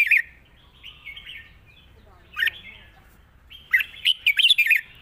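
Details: Red-whiskered bulbul singing a long song in wild-style phrasing, mixing song with 'rik' notes: a bright warbled burst, a quieter fluted phrase, then a run of five or six sharp chirped notes near the end.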